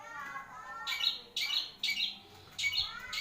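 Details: Harsh, raspy squawks from a long-tailed shrike, four noisy bursts spaced under a second apart over faint background tones.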